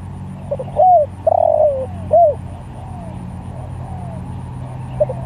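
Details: Spotted dove calling other doves: one loud phrase of short soft notes, a curved coo, a long trembling falling coo and a crisp final coo, followed by fainter distant coos and steady low hum.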